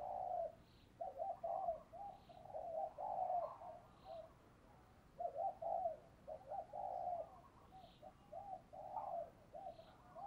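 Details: Captive decoy spotted dove luring wild birds, heard faintly against steady background hiss: repeated clusters of low hooting coos, several phrases running close together over ten seconds.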